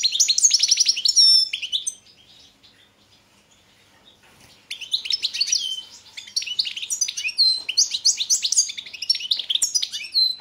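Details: Competition-entry goldfinch, subspecies balcanica, from the 2022 World Championship in Goldfinch Song held in Serbia; bright trilled twittering phrase, roughly two seconds of near silence, then a long stream of quick high chirps and trills.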